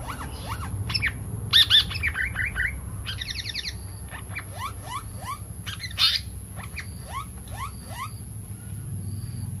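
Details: Pied fantail, known locally as seriwang or tali pocong, in a lure recording: a string of short rising whistled notes, harsh chattering bursts and a quick buzzy repeated trill, over a faint constant high-pitched tone.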